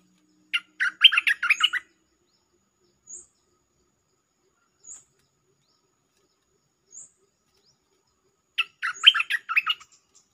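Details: Lure recording of a bulbul singing a doubled-style song. Two lively, tumbling phrases of quick warbled chirps are separated by a long gap, with faint thin high ticks spaced every couple of seconds between them.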